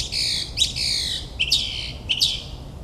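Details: Northern mockingbird singing at night in suburban New Jersey, imitating other birds: harsh, buzzy squawk-like phrases, several grating notes in under three seconds, some with rising slurs.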